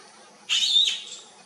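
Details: Bee-eaters looking for their flock: one harsh, buzzy, rolling call of about half a second, bright and high, over quiet background hiss.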